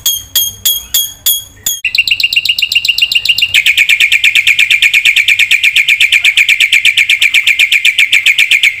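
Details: Black-winged myna, full vigorous song for training a silent bird: a few separate ringing notes, then a long, fast, even trill of bright whistled pulses that continues steadily to the end.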